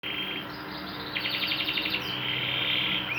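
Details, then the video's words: Canary in lively song recorded as a master track for training: high rolling trills and rapid repeated notes that shift between several tours, set against a steady hiss and low background hum. "MASTERAN BURUNG KENARI GACOR"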